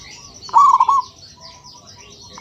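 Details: Local zebra dove (perkutut) uttering one short, loud, trilled coo phrase of quick rippling notes, followed by quieter held tones and faint high twittering in the background.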